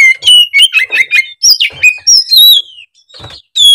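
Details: Excited oriental magpie-robin singing hard: a fast run of loud whistled phrases, slurred rising and falling notes and buzzy trills packed closely together, easing into softer scratchy notes, then a final clear whistle.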